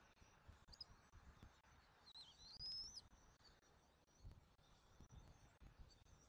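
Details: Bald eaglet being fed dinner at a Southwest Florida nest on 13 January 2024, recorded by a nest camera; a short high squeaky note, then a longer thin whistled chirp that rises and wavers, over constant background noise.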